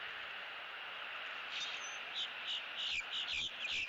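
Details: Eagle at a Southwest Florida nest camera on October 6, 2017, during nest building and bonding; a short burst of high, thin chittering notes arrives in the second half over a steady background hiss.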